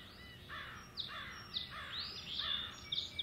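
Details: Male osprey on Hog Island in April 2016, calling as he searches for his mate. The clip has a series of sharp, high, falling whistled notes, some with a rough buzzy edge, given irregularly several times a second over light background hiss.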